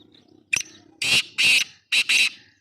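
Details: Sharp click followed by four loud, rasping, hoarse notes, the last two tightly paired: a black francolin heard in Sindh, Pakistan, against near silence.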